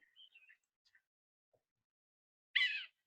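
Yellow-bellied Sapsucker giving one harsh, nasal, squeaky cat-like mew, about a third of a second long, after a few faint soft notes.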